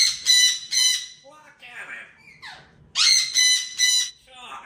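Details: Three parrots in a lively, playful exchange, one mischievously interrupting the other two: loud, harsh, broadband squawks in two bursts of three, with quieter rising and falling chatter notes between them.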